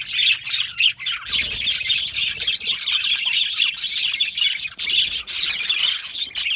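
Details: Yellow male budgerigars chirping: dense, continuous chatter of scratchy, warbling twitters and quick chirps, overlapping voices with no pauses throughout.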